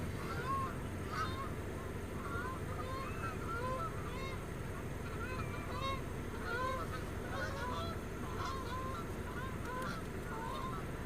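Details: Geese flying over toward pools across a road honk continuously in a dense, overlapping chorus of nasal calls, with a low rumble of wind or traffic underneath; ducks also flying around.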